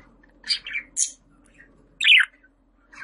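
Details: Budgerigar calls meant to draw pet budgies: sharp, scratchy chirps in short bursts with gaps between, ending in a louder rasping squawk after two seconds.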